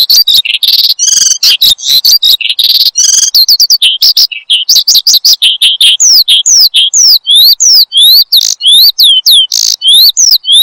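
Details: Cage-bird lure song of a Horsfield's bushlark. Jumbled twitters and trills shift into a steady series of sharp, sweeping downslurred whistles repeated roughly twice a second.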